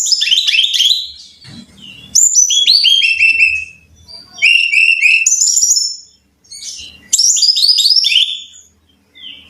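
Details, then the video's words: Brown-chested jungle flycatcher song used to train caged birds to sing readily: four loud bursts of high, rapidly repeated downslurred whistles, each stepping lower, separated by short pauses. "Pancingan Masteran Suara Burung (SIKATAN RIMBA DADA COKLAT)"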